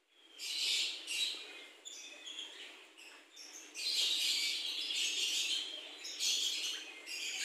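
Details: Captive Javan myna in full voice inside a mini-forest aviary. It gives high, scratchy chatter in uneven bursts, with louder harsh phrases in the second half.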